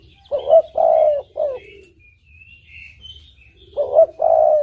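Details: Spotted dove song for luring, a three-note cooing phrase then a second phrase beginning, while soft high twittering from small birds runs underneath.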